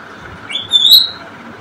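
An African grey parrot gives a single clear whistle that slides upward, then holds a bright, high tone for about half a second. Faint background hiss.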